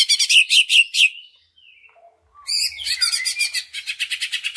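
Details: Greater green leafbird song used as a lure to spur other leafbirds to sing: fast rattling bursts of repeated high notes, a short pause with faint thin whistles, then dense rapid chattering trills resume.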